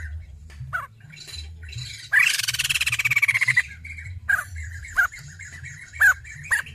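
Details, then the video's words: A female white-crested laughingthrush gives scattered short squeaky notes, then a loud fast rattling burst lasting about a second and a half, then more sharp single notes. "Poksay Jambul Betina Edan"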